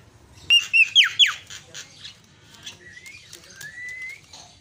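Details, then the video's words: Myna calls used as a lure to stir silent mynas into calling: four loud, sharp whistled notes in quick succession, then softer chirps and a long, thin rising whistle. "sekali pencet langsung cerewet terapi jalak macet"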